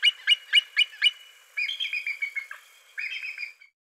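A bald eagle gives a thin, high call: sharp piping notes, then a squeaky descending chatter.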